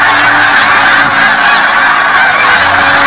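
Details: A big flock of snow geese on spring migration, 2017, heard as a constant roar of overlapping yelping honks with no pauses; a faint low hum sits beneath the chorus.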